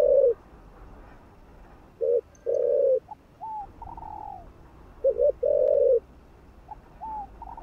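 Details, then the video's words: Spotted dove coos used to excite other doves: low, buzzy double-noted coo phrases alternate with higher, softer gliding notes that fall away, in a steady back-and-forth pattern. "Chim Cu Gáy Thúc Gù. Kích Mồi.Kích Bổi Cay Cú"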